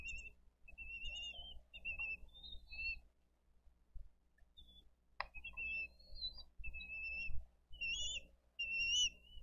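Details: Bald eagle nest camera in Dade County, 22 April 2023, with adults delivering fish and feeding eaglets; intermittent high thin whistled notes in short runs, a quiet gap mid-clip, one sharp click, then more peeps.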